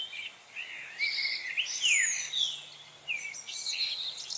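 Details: Chickadees in a frenzy on 25 November 2020, giving high thin notes and sharp downslurred whistles in clustered bursts, several birds overlapping, with a brief lull midway and soft steady hiss behind.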